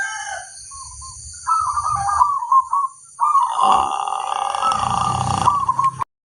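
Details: Crossbred local zebra dove song: a short cooed note, then a rolling trilled phrase and a long, sustained, bubbling coo over low rumbling background noise and a steady high hiss.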